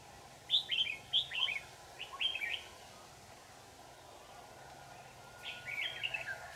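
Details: Red-whiskered bulbul of the 'lưng tôm' (shrimp-back) type, at a trapping session in Dak Lak, 4 January 2018: three loud, rapid whistled phrases in the first half, a pause, then a further warbling burst near the end, over steady background hiss.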